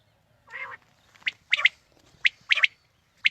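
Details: Quail calling, used to draw quail for a morning hunt: a low nasal buzzy note followed by sharp high clipped notes in pairs and singles, close and clear.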